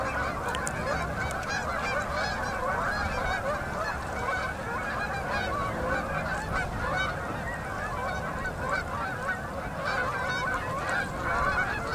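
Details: Huge flock of fall-migrating Canada geese flying in to land on a river at sunset in Manitoba, Canada, in October: a dense, continuous chorus of overlapping honks from many birds, no single call standing apart.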